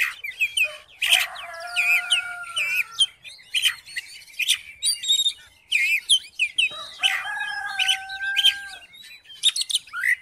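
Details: Oriental magpie-robin singing to provoke a silent magpie-robin into song; sharp whistled notes and mimicked trills alternate with long, steady lower whistles held for over a second, in repeated bursts with short gaps.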